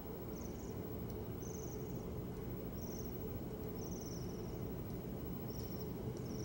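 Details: A flock of Bohemian waxwings in a crab apple tree in Simcoe County, Ontario, in December 2015 gives thin, high, buzzy trills in short bursts about once a second, over a steady low rumble of traffic.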